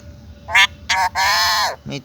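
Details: A talking parrot repeats its name in a grating, human-like voice: two quick syllables followed by a long, slightly falling one, then a short low trailing sound.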